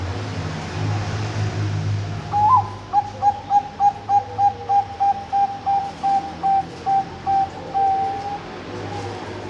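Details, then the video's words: Bangkok-type zebra dove, or perkutut, ringed at a bird farm in Kediri, East Java, Indonesia, singing its opening phrase. A higher lead-in note is followed by a long, even series of short cooing pulses. There is background hum and noise. "Suara Depan Perkutut Bangkok bagus"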